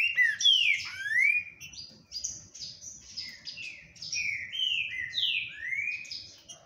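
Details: Green-winged saltator (Saltator similis) song: rich, loud whistled phrases that slur up and down, delivered in a steady stream of about two notes per second over a faint low rumble.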